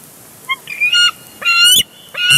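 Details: Squabbling over a big fish at a Big Bear Lake nest on 23 June 2022, bald eagles heard through a live camera: soft high notes, then two strident rising squeals.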